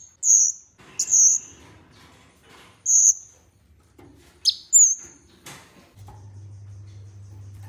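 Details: Olive-backed sunbird tutor song: thin, very high whistled notes given in short bursts with irregular pauses, a sharp descending chip near the end, and a low steady hum in the last seconds.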